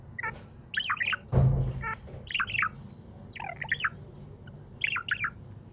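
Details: Happy pet budgie chirping in short warbled bursts of two or three twisting notes, repeated about every second, with one dull low thump early on and a steady low hum beneath.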